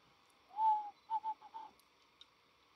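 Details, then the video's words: A Desert Owl at night in a starlit wadi in Oman, November 2024, gives one long slightly falling hoot, then two quick pairs of shorter fairly high hoots, over quiet faint hiss. "Desert Owl"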